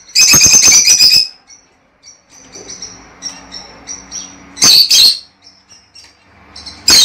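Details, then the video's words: Lovebird song to stimulate mating: a dense burst of shrill, rasping chirps for over a second, soft twittering and faint high notes, then a pair of sharp loud chirps and one more at the end. "El canto más poderoso para estimular y estimular a las aves agapornis a aparearse y producir"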